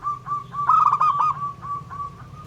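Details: Local zebra dove song meant to provoke rival doves: a steady string of short mid-pitched cooing notes, swelling into a louder rolling run in the middle before easing back to softer evenly spaced notes over a low background hum.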